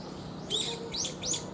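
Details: Brown-eared bulbul, a large bird nearly pigeon-sized, giving three short, sharp, high notes that sweep up then down, spaced about a third of a second apart, with a faint low hum behind.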